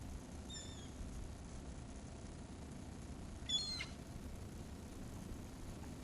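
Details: Gulls at a feeding, giving one thin harmonic cry early on and a sharper squealing note a few seconds later, both against a constant low hum.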